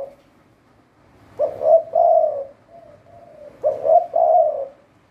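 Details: Spotted dove used as a decoy bird for trapping in Thailand. It gives two full cooing phrases of clipped opening notes and a long rolling coo, with quieter soft coos between them.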